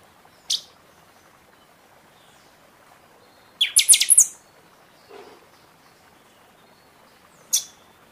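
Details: Buffy-fronted seedeater song from the season, meant to rouse caged birds after moult: a lone high note, then a fast ringing burst of bright strokes, another single note later over a faint hiss.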